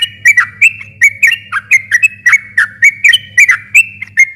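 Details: Sooty-headed bulbul in long, continuous rapid song, played as a lure to provoke a silent bird into answering: a brisk run of short, clear whistled notes, about three per second, each with a sharp attack and slight pitch bend, over a low steady hum.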